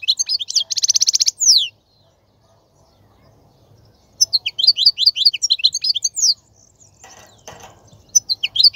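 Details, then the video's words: A male European goldfinch's song for teaching fledglings: a rapid twitter leads into a buzzing trill, then a long cascade of crisp, bouncing notes. A brief rustling sound is heard before further chirps. "تغريد الحسون : تغريد روعة"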